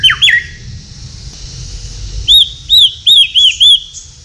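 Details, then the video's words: White-rumped shama singing at night, recorded at a breeding aviary in Tasikmalaya: two sharp descending whistles open, then a run of five short arched whistled notes repeated about every third of a second over a low background hum. "MURAI BATU GACOR MALAM HARI SUARA ANEH"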